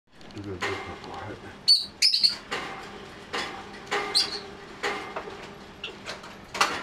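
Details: Elderly female rosy-faced lovebird, white-face American mauve cinnamon, in territorial mood during out-of-cage time: loud clattering bangs against a cage mixed with a few sharp, high chirps.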